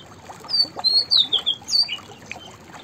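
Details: A white-browed fantail (Rhipidura aureola) sings a quick run of six or seven thin, high whistled notes that rise and fall over about a second and a half.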